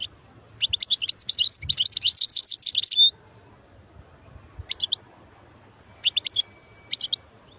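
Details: A wild European goldfinch sings a fast, liquid stream of high twittering and buzzy notes for about three seconds, followed by a few isolated bright chirp groups after a pause.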